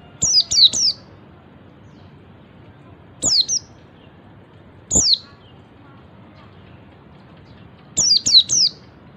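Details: Oriental white-eye ngalas call used to trigger other white-eyes: a rapid triplet of thin falling whistles, two spaced single notes, then another triplet, over quiet background hiss.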